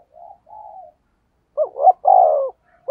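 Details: A decoy spotted dove coos in the thúc gù style, used to lure and provoke wild doves. Two soft, low hums are followed by a louder, rolling, throaty coo phrase and the start of another.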